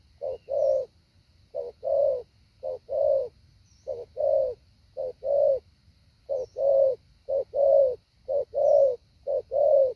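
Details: Decoy spotted dove rehearsing the 'hạ bổi' pattern: repeated low coo pairs, a short note then a longer one, about one per second for ten seconds, with faint high chirps in the background.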